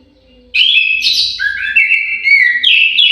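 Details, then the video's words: Lively, loud whistled song of an orange-headed thrush in an aviary, varied slurred notes rising and dropping continuously for over two seconds. "KICAU MERDU BURUNG ANIS MERAH"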